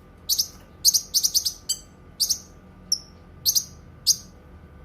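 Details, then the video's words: Cucak kinoi song, recorded for use as a tutor recording for training other songbirds and for therapy: bursts of sharp, high chirps in quick groups of two to four, with a lone thin whistle between, over a faint steady hum. "Suara Kicauan Burung Cucak Kinoi"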